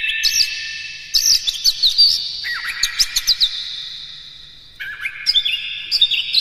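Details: Oriental magpie-robin in rapid, varied song used as a lure: loud whistled phrases and chattering trills, a quieter drawn-out stretch, then a fresh burst of slurred notes at the end.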